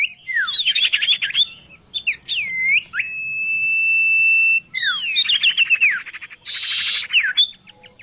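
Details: Oriental magpie-robin singing a varied, loud song: sweeping whistled slides, a long steady pure whistle held nearly two seconds, then rapid chattering trills and falling notes, with quiet background.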